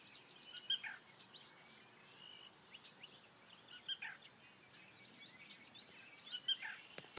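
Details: Black rail in Berks County giving short, sharp high notes about every three seconds, set against a busy background chorus of other marsh birds.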